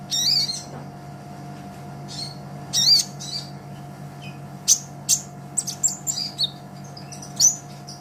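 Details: Brown-throated sunbird (kolibri ninja) in lively song for a songbird-training master track: scattered high, sharp chirps and brief twitters with gaps between them, and a faint low hum underneath.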